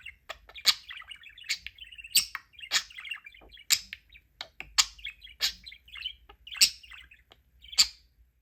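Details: Pet budgerigar, out of its flight cage playing with toys, chatters in a rapid, warbling stream broken by sharp, bright chirps.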